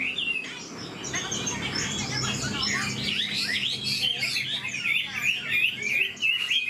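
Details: Old wild-caught Chinese hwamei with a very fine voice and fast delivery, pouring out a dense, rapid stream of varied whistled and twisting notes, high-pitched and nearly continuous, with faint background murmur.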